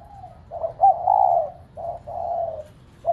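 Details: Spotted dove used as a decoy, cooing so pet doves answer: soft low hooting with short clipped notes leading into drawn-out, slightly falling coos, one after another.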